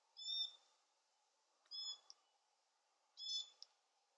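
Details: A glossy black cockatoo (Calyptorhynchus lathami) fledgling begging food from a parent gives high, wheezy, creaking begging calls, three short bursts about one and a half seconds apart, over a faint low hum.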